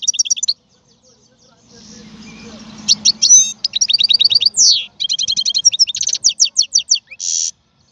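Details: Singing European goldfinch: a short high trill, then a low humming noise. A lively stretch of rapid twittering follows, with quick repeated notes, sweeping whistles and a final buzzy note.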